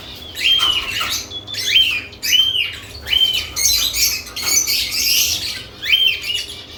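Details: Lovebirds active after nest boxes are added, giving shrill, arched chirps that rise and fall, repeated in quick bursts roughly every second over a dense hiss of overlapping high calls from several birds.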